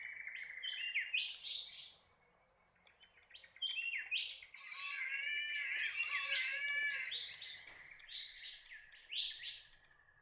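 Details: Large-billed scrubwren calling in a busy burst of high chirps and sharp ticking notes, with dense twittering phrases, a brief pause near the start, and a faint low hum underneath.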